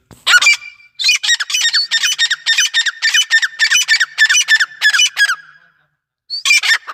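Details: Grey francolin calling: a long, rhythmic series of harsh, clipped notes, about two per second, running for roughly four seconds before a pause and a fresh start.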